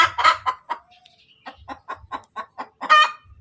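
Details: Egg-laying hen cackling: a harsh opening squawk, then a steady run of short clucks about every quarter second, climbing to a final loud squawk.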